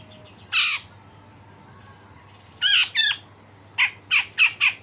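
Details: Grey-cheeked bulbul giving rasping 'besetan kasar' and sharp shots, used as a training voice for songbirds: one coarse burst, then a pair of buckled notes, then five quick harsh notes in an even row.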